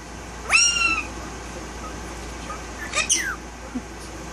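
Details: Talking male Indian ringneck parakeet gives a loud, harmonic, nasal syllable that rises then levels, then after a pause a rough double squawk with falling strokes; quiet background between.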